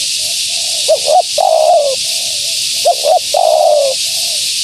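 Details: Female spotted dove calling to attract wild doves: low cooing phrases, a quick doubled note followed by a longer drawn-out coo, given twice, over a constant high hiss.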